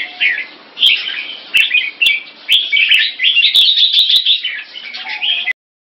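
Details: Kept red-whiskered bulbul in Singapore taking on another bulbul in a singing challenge, pouring out bubbly, warbled, bright mid-high phrases almost without pause, with a few sharp clicks in the background.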